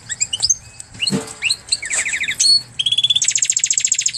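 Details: Singing canary and goldfinch cross: scattered high chirps, a quick series of downslurred notes, then a fast regular trill of repeated chips rising in pitch.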